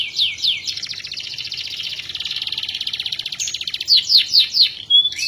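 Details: Canary in full song, suited for training other birds: a few downslurred whistles lead into a long, rapid rolling trill, then bright separate chips and a clear whistle.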